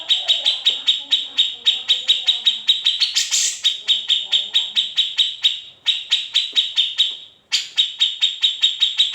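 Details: Grey-cheeked bulbul in its typical besetan, ngepik and ngetril style, an unedited master recording: a long run of fast high clipped notes, a brief harsher burst near three seconds, a short break before eight seconds, then the pulses resume.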